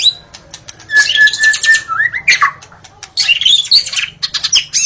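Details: Singing white-rumped shama recorded in the forest. A sustained whistled note leads into rising slurs, followed by a dense burst of high, jumbled, twittering phrases, all delivered with gacor vigour.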